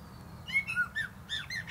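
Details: Perched atop a plum tree, a common blackbird delivers a short run of clear fluted whistles, each note slurring up or down, capped by thin high twitters.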